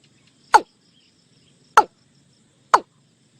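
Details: Watercock calling as a decoy lure: three short, sharp knocking notes that sweep downward, spaced about a second apart, over a faint low hum.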